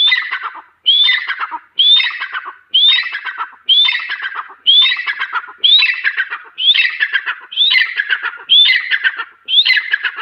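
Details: Grey francolin, known locally as teeter or Irani teeter, calling: a steady series of about ten loud phrases, each opening with a sharp rising whistle and falling into a harsh, scratchy tail, roughly one per second.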